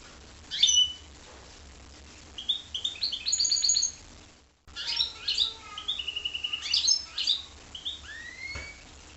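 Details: Goldfinch × canary hybrid delivering soft twittering phrases and quick chirps, with a brief silent gap midway, then more rapid notes and a long upward-sliding whistle near the end.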